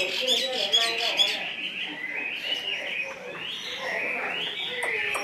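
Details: Caged Chinese hwamei, carried in its cage, giving a running stream of warbled whistles and quick chips that rise and fall, moderately loud throughout.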